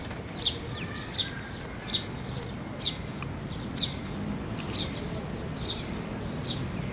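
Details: Sparrows come to be fed at a post at Tenmangu shrine, 12 May 2024. Bright, clipped high chirps repeat about once a second over a constant low hum of surroundings.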